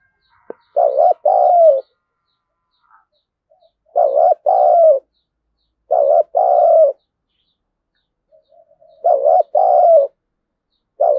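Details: Spotted dove used as a lure bird to provoke wild doves into fighting, giving low two-part coos, each a short note then a longer falling one, repeated about every two to three seconds in a quiet setting.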